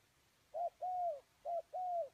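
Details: Spotted dove kept as a ground decoy, cooing to draw in wild doves; two paired phrases, each a brief hollow note followed by a drawn-out, gently descending coo, with little other sound.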